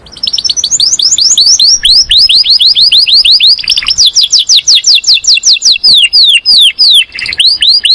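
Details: Master canary in song, calling friends and fighting; steady run of rapid downward-sweeping chirps, several per second, loud and unbroken for the whole stretch.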